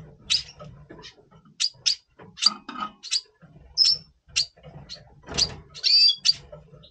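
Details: November 2023 recording of a double pastel mutation red siskin in breeding mood ahead of breeding: crisp high chirped notes spaced roughly every half second, some with short whistled tails, over a faint low rumble.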